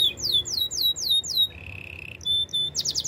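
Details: Training song of a canary, with a row of falling swooping whistles, a flat buzzy tone, then a short high whistle and quick chattering notes.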